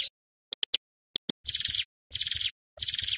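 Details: Male Bar-winged Prinia lure recording, sung to draw and provoke wild ciblek: a few isolated clicks, then three loud, harsh buzzy bursts about half a second each, spaced evenly.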